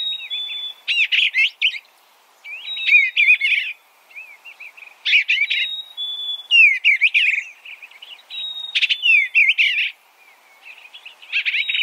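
An Eastern bluebird gives soft, mid-pitched warbled phrases with a few clear whistles, a burst every two to three seconds, against a quiet background.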